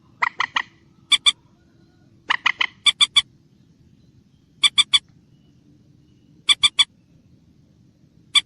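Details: Common moorhen special call: crisp, clicking kek notes in tight groups of two to four, with pauses of one to two seconds between groups.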